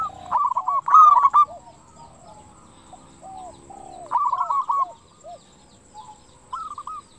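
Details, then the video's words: Local zebra dove in a lure recording meant to provoke other doves into answering: rapid staccato cooing phrases, while a second, lower dove repeats slower hooked notes in the gaps, then a short closing trill. "PERKUTUT LOKAL GACOR SUARA KRISTAL - Pancingan perkutut bikin cepat nyaut"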